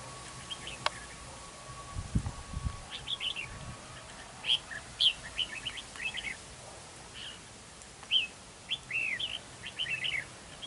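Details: Red-whiskered bulbul used as a decoy in a territorial fight at a trap, giving short warbled phrases of rising and falling notes in scattered bursts, with a faint low thump early on.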